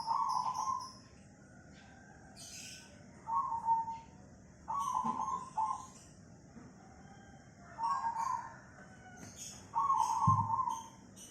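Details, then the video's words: Zebra dove of the cemani type, called perkutut locally, in Tangerang, Banten, on 24 August 2020. It sings repeated rolling coos, some doubled, spaced a second or two apart, over a soft hiss and faint high chirps. "Suara burung perkutut cemani"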